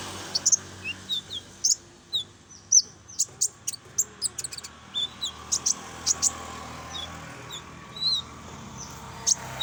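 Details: Common iora used as a lure sound, full song: short high chirps and quick downward-sweeping whistles scattered through the passage, with a low steady background hum.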